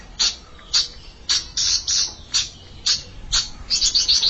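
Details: A young bar-winged prinia challenging an established rival: loud, harsh high chips repeated about twice a second, ending in a quicker stuttering run.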